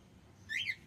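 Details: Male cockatiel giving one short arched whistle, rising then falling, near the end of a quiet moment.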